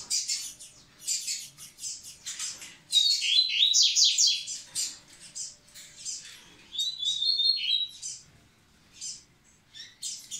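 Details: Double-collared seedeater singing to get females ready: rapid bursts of scratchy, buzzy twitters and clear whistled slides, alternating loud stretches with quieter gaps.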